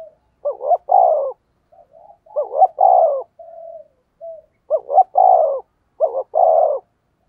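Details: Spotted dove's 'thúc gù' luring coo: repeated three-part phrases of quick rising hoots and a long downslurred coo, interspersed with faint, flat, soft murmurs, in an otherwise quiet setting.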